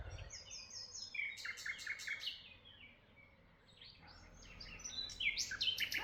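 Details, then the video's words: Chirping birds in Tuzla give rapid, overlapping high notes in two busy bursts, separated by a calmer stretch of soft twitters. "birds chirping sound in Tuzla"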